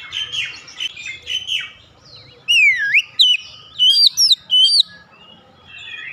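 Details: Oriental magpie-robin song played to lure other magpie-robins into singing loudly. Scratchy, buzzy chatter opens, then loud clear whistles: a swooping downward-then-upward slur, followed by bright rising and falling whistled notes in quick bursts, fading to softer warbles.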